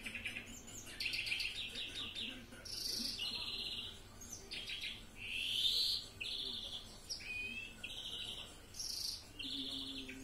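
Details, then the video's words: European greenfinch (Carduelis chloris) singing a mixed "Florya" style song: a fast, varied medley of twittering trills, rattles and high buzzy wheezes, each phrase a second or two long with brief pauses. "Florya karışık ötüm (carduelis chloris) greenfinch"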